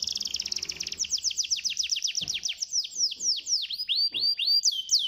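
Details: Pancingan, a lure song of a canary for encouraging lazy birds. A fast, dense trill is followed by steady downslurred notes about four per second, with faint low knocks in the background.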